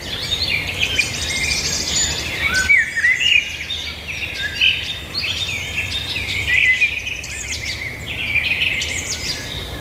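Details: Birds singing together in a dense chorus: overlapping high chirps, trills and short whistled phrases, with one clearer slurred whistle near the third second, over a steady low hum and background hiss.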